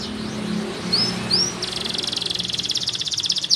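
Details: Green canary singing vigorously: a few quick high upswept whistles, then a fast buzzy trill of rapid notes held steady for about two seconds, over a low background hum.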